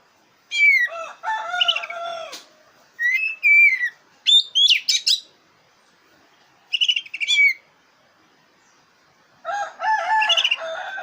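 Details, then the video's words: Black-breasted oriental magpie-robin in full, varied song used as a lure for contest birds: lower warbling phrases, sweeping whistles, scratchy rattles and sharp high notes, delivered in bursts of one to two seconds. "Suara burung kacer dada hitam super gacor cocok buat pancingan lomba burung kacer"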